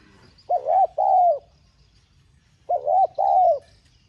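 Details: Urging coo of a spotted dove in the 'giọng son' style, for stimulating caged doves: two matching phrases about two seconds apart, each a dipping double note followed by a longer, steady mellow coo.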